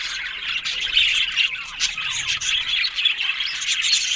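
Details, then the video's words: Many pet budgerigars calling together: harsh little squawks mixed with warbled chirps in a busy, continuous chorus. "Amazing Talking Happy Budgies Sounds"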